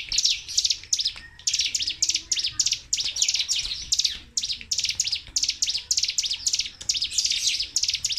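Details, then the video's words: Rapid-fire 'tembakan' song of a Sunda warbler (cigun), played to prompt silent caged birds and serve as a tutor: bright, shrill chirp bursts repeated in quick succession, one brief pause near the one-second mark. "TEMBAKAN CIGUN/CIBLEK GUNUNG GACOR DOR TANPA JEDA"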